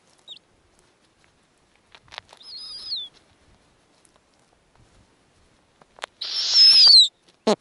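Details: A short squeak, then a thin wavering screech and a loud, rough hissing screech near the end, recorded at a snowy owl nest with the female feeding small owlets; otherwise nearly silent.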